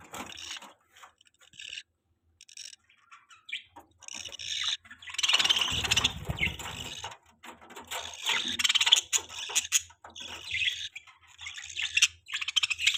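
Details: Happy pet budgerigars keep up a continuous scratchy, high chatter of rapid warbled chirps, louder in the middle, with a brief low rumble.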